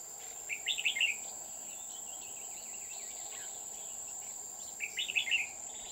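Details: Red-whiskered bulbul used as a decoy while trapping on An Phu mountain near Huong pagoda, 20 October 2019; two short bright warbled phrases a few seconds apart over a steady high insect drone and faint background chirps.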